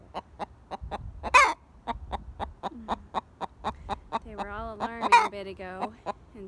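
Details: Pet Buff Orpington hen, yellow-gold, still alarmed after a scare in the yard: a fast run of clipped clucks punctuated by two loud, harsh squawks, while a woman speaks soothingly over part of it.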